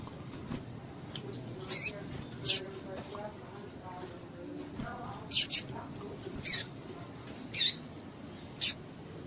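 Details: Calls of a female double-collared seedeater, used to excite males for singing contests: a loose series of thin, high, sharp chips, roughly one per second, some doubled, with faint low background noise.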